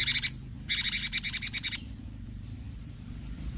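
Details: Bulbul in besetan gacor song: a short buzzy burst, then a longer run of rapid pulsed notes, followed by faint high thin whistles.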